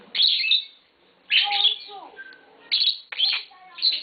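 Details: Pair of green Fischer's lovebirds, tame pet birds: harsh, scratchy chirps in short bursts about every one to one and a half seconds, with softer chattering notes between.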